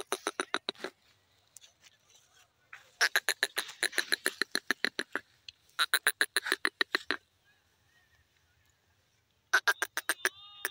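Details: Grey francolin, known locally as Irani teetar, giving loud harsh clicking notes in rapid repeated bursts of about a dozen, separated by short pauses, with faint quieter notes in the gaps.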